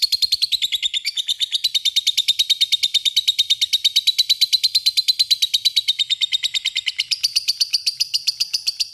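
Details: Lovebird in a long ngekek chatter, calling an opponent: an unbroken, rapid buzzy rattle of shrill notes sustained through the whole stretch, dipping slightly and then rising again near the end.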